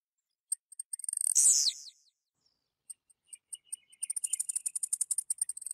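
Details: Blue-black grassquit (tizil) from central-western Goiás, Brazil, sings a high, buzzy, falling phrase, framed by sharp ticking notes that quicken into a rapid, high-pitched series.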